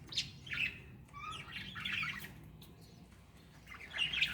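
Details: Breeding budgerigars chirping and chattering in short, scratchy bursts, with quick warbled notes between pauses.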